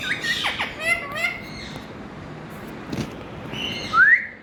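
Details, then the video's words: Talking Indian Ringneck (rose-ringed parakeet) chatters in quick, nasal, speech-like syllables for about a second and a half, then gives a sharp rising whistle after a pause. "Parrot💕Talking Super Fun🌸 Colourful Indian Ringneck"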